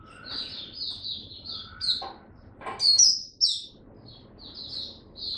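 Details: Oriental white-eye kept in the bird hobby, singing on its first test day. Soft, high twittering phrases, interrupted by a few knocks and a louder, sharp chirping burst in the middle, then quieter warbling resumes.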